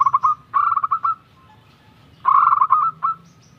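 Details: Local zebra dove, young and vocal, giving two bursts of quick staccato notes running into a rolling trill, separated by about a second of quiet.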